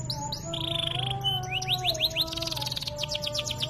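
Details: Energetic canary song, a training piece for other canaries: two sliding whistles, a buzzy rolled note, then quick rising chirps and a fast trill of short notes, with a low steady tone underneath.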